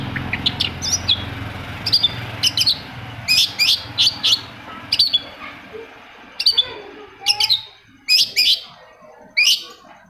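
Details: Long-tailed shrike song used to spur quiet shrikes into song: sharp high chirped notes repeated in short bursts every second or so, over low rumbling background noise that fades midway.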